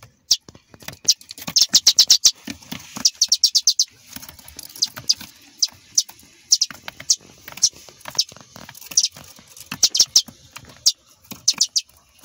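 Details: Two young sparrows that fell from their nest give thin, high chirps in quick bursts, some fast runs of several notes and scattered single peeps, over soft rustling.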